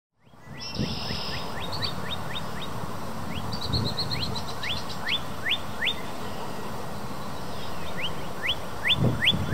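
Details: A male northern cardinal at a local park, perched atop the tallest tree, calls loudly to another cardinal in a different tree: quick series of clear, down-slurred whistles, several a second, in repeated bursts over a steady low rumble of wind or distant traffic.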